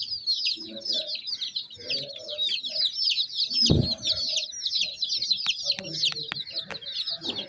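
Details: Chorus of baby chicks giving soft but high, rapidly repeated down-slurred peeps that overlap constantly. A single loud thump sounds midway, and scattered clicks follow.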